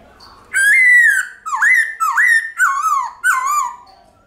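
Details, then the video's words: Forest-style song of a White-cheeked laughingthrush, used to spur caged birds into singing: a sustained whistled note followed by four quick looping, dipping whistles, clear and strong over a quiet background. "Khướu Bạc Má Hót Giọng Chuẩn Rừng Ngân Dài Cực Hay"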